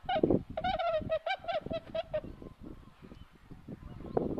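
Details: Whooper swans looking for food give a rapid series of nasal, honking notes on a steady mid pitch, then fall quieter amid splashing water and low rumbling.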